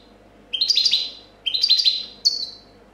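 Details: European goldfinch champion of 2014 delivering clean copia song: two rapid tinkling bursts of cascading high notes followed by a short single sweep, all sharp and bright against a quiet room.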